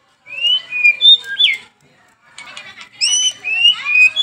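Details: White-rumped shama song for training caged birds, morning and evening: clear fluting whistled phrases, some rising and some falling, a short pause, then more layered whistles.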